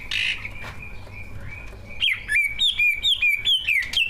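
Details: Two captive competition greater green leafbirds, songs filled with learned mimicry and used to provoke other birds into singing: a buzzy burst and a long thin whistle, then a rhythmic run of repeated dropping whistled phrases, about three per second.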